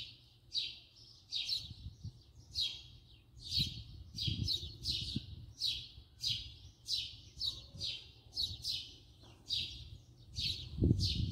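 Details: Close-range house sparrow chirping steadily: short, sharp, descending cheeps repeated about every half second, roughly twenty in a row, over a faint low hum and occasional soft knocks.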